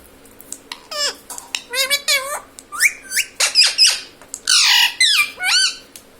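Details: Talking pet parrot copying family words like "mummy" and "papa": a long string of short, high, nasal syllables with bending pitch, roughly a dozen speech-like bursts over several seconds, some rasping, with a faint steady hum behind.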